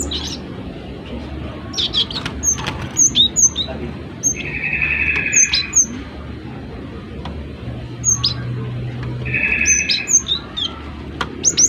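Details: Gelatik batu (cinereous tit), an energetic singer, gives sharp high whistled chirps in short bursts scattered through the recording, with a steady buzzing hum twice and low background noise.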